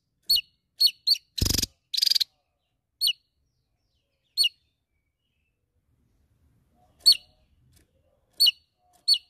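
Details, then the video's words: Javan tesia calling out a rival: sharp, high, downslurred chirps spaced irregularly, broken once by two buzzy rattling bursts. "TESIA JAWA Gacor N3mbak Memanggil Lawan"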